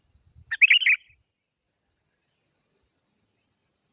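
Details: To challenge a rival, a sooty-headed bulbul gives a single rich, gurgling phrase of fluty slurred notes. Soft low taps come just before it, then silence follows.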